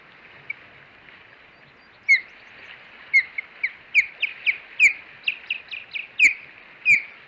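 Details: Ospreys at the Hog Island nest, 21 April 2020, as two females fight at the nest with the male caught between them: a quickening series of high, sharp, whistled chirps, loud piercing cries starting and ending the run.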